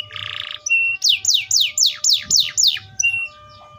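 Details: Atlantic canary: a dense buzzy burst, a thin whistle, then seven loud downward-sliding notes in quick even succession, ending with a soft whistled note.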